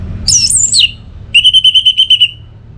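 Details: Orange-headed thrush giving a very high slurred whistle that swoops down. It follows this with a fast, even string of about nine repeated whistled notes.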